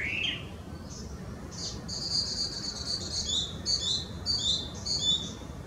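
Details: Chinese hwamei (Garrulax canorus), an invasive introduced bird in Japan, sings very loud, high, ringing phrases, repeating a bright slurred motif roughly every half second, over a low steady background hum.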